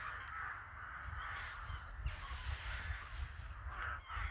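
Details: Many crows in a winter village fill the air with overlapping harsh caws, a near-continuous raucous chorus with a few louder calls standing out.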